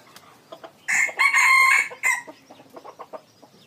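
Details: A red junglefowl kept as a decoy crows loudly and strongly: a harsh multi-part crow lasting over a second with a ragged ending. Quiet clucking and scattered soft notes are heard before and after.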